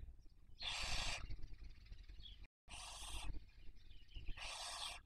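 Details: Barn owl at a webcam nest in Cabañeros National Park, Spain, during the 2023 breeding season while rearing young. Three rasping hisses are heard, softer and more distant, with a low background rumble and brief high squeaks between them.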